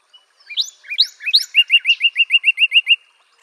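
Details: Northern cardinal: a few upswept whistles, then about ten clear, evenly spaced short notes in a steady series, on a quiet background.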